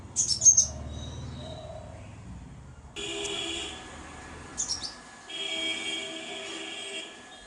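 Crimson sunbird giving two quick bursts of very high, thin chips, about four seconds apart, over a steady insect-like buzzing drone.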